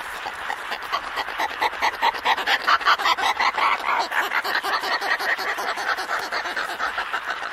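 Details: Antarctic petrel pair calling to each other in a colony at Scullin Monolith, Antarctica, recorded close up: harsh, rapid cackling pulses, about two or three a second, rising in loudness mid-clip and then easing, with no other clear sounds.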